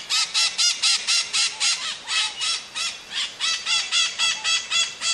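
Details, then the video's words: Maritaca (Pionus parrot) giving a steady run of harsh, buzzy squawks, about four per second, each a loud rasping burst with a nasal edge, continuing without pause for the whole stretch. "Maritaca Cantando"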